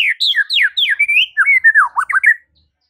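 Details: White-rumped shama singing in the morning to provoke rival shamas into answering: a rapid run of loud whistled phrases, descending slurs and sweeping notes, clean and unbroken for over two seconds.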